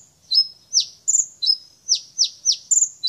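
Brown-throated sunbird singing a high, thin series of sharp down-slurred chips mixed with flat, piercing whistles, about three notes a second, with no other sounds.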